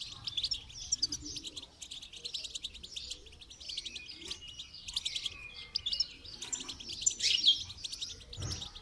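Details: Goldfinch song for training: a long, dense run of high tinkling chirps and buzzy trills with few pauses. A louder cluster comes near the end, with soft low background noise throughout.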